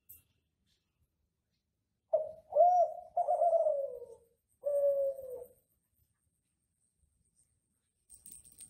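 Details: Ringneck dove of the Kelantan type in captivity in Indonesia, singing as a training master for other doves; after silence, a short note, a rolling coo and two long soft falling coos, then quiet.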